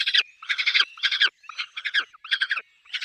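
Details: Peregrine falcon at a nest with chicks: harsh, raspy bursts of rapid pulsed notes, each lasting about a quarter to half a second, given in a quick uneven series with short gaps.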